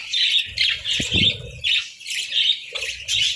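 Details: Budgerigars at breakfast with boiled eggs and bread in winter give harsh squawking chirps in short clusters separated by brief pauses, with a dull knock and rustle midway.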